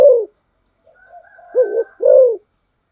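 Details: Decoy spotted dove ending one low coo, then after quiet twitters from other birds giving a doubled note followed by a long arched coo.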